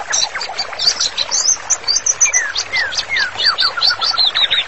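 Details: White-rumped shama singing vigorously as master song recommended for therapy training: rapid run of high sharp chirps and whistled notes, with a series of clear descending slurred whistles in the middle, continuous and varied.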